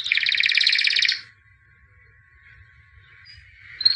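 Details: White albino canary, a champion in 2017, gives a dense buzzy trill lasting just over a second, then falls quiet with only a faint hum before a brief bright note.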